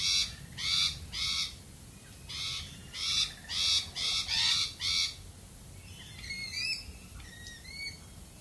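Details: Australian galah screeching: a run of harsh, grating shrieks in quick pairs and groups, then softer upward-sweeping squeaky calls toward the end, with low background hum.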